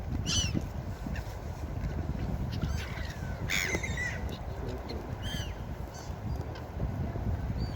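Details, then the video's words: Beach seagulls calling in scattered bursts: sharp, falling, harmonic cries at intervals of one to two seconds. Constant surf rumble underneath. "Seagull Beach Sound Effect"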